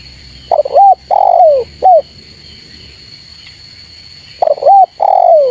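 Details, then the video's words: Spotted dove call meant to lure rivals: two loud three-note cooing phrases about four seconds apart, each a rising coo, a long sliding-down coo and a clipped end note, with a constant high-pitched tone behind. "Suara Full Memanggil Lawan Auto Ribut dan Datang"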